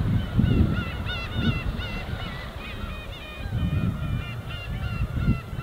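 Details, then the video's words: Gulls wheeling as a flock over the winter East Sea, Korea, giving many overlapping mewing, rising-and-falling calls in quick bursts, with gentle waves washing below. "갈매기와 잔잔한 파도소리"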